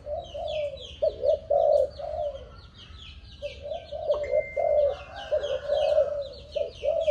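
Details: Young spotted dove of a Malaysian line, seven months old, offspring of a stuttering decoy bird, gives low, broken coos in uneven bursts with short pauses, while many high chirps from small birds continue above.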